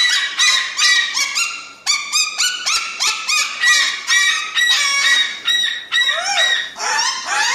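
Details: Crested cockatoo giving loud, harsh, nasal calls with bright harmonics, each rising then breaking, repeated about twice per second in an unbroken series with no other sounds.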